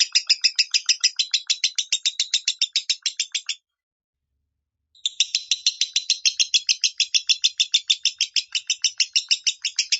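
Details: Minor-style lovebird song for training a home bird: rapid rasping chirps roughly three per second, broken by a silence of over a second, then a second long run of the same chattering.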